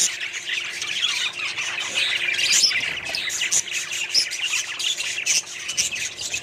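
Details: Small colony of budgerigars chattering together, overlapping scratchy warbles and sharp chirps layered densely, a lively unbroken flock noise.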